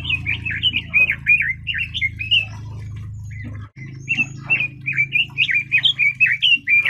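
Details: Loud, fast warbling song of a red-billed leiothrix: rapid bouncing whistled notes in two long phrases split by a brief break, with a constant low droning hum behind.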